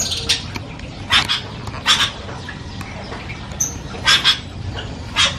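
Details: Javan myna chattering loudly with varied sounds: loud, harsh, grating bursts about once a second, with a brief high whistle mixed in, over a steady low background hiss.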